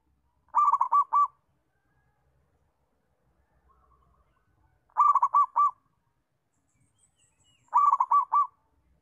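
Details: Local zebra dove calling, used as a master and lure recording to train young doves to learn to call: three clean rolling coo phrases of quick pulsed notes, spaced several seconds apart, in near silence.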